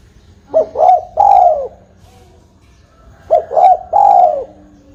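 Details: Spotted dove (tekukur) call used as a lure for trapping birds. Two three-part phrases: two short rising coos, then a longer, drawn-out falling croo, about three seconds apart. Faint low hum beneath.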